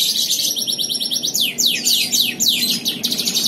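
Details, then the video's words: ['A Mancini canary from Pontianak, West Kalimantan, sings in an online canary contest, giving buzzy high trills broken by a series of loud, slurred descending whistles, with a steady fast rhythm throughout.'] "LOMBA KENARI ONLINE 10 - Aksi KENARI MANCINI"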